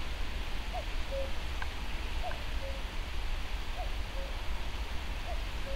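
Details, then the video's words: A common cuckoo calls at Brandon Marsh, Warwickshire, on 10 May 2012, giving its familiar two-note falling "cu-ckoo" four times at about one-and-a-half-second intervals over a steady low wind rumble. "Cuckoo calling"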